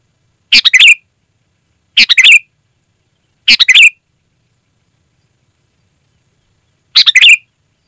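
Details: Sooty-headed bulbul phrases, loud and clear, used to lure wild birds in the forest: four short bubbly three-note phrases ending in a slurred whistle, spaced one to three seconds apart.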